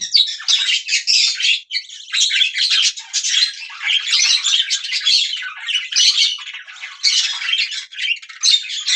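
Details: Budgerigars chirping in a continuous, dense chatter of high, scratchy warbles, squawks and twitters with almost no pauses, from several overlapping voices, possibly indoors.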